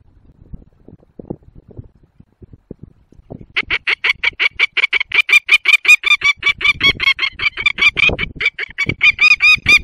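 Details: Agitated wild peregrine falcon at 11:25 on 19 March 2022, Barycz Valley, Poland: after soft scattered clicks, harsh grating cacks burst out, repeated rapidly about two to three per second in a steady insistent series.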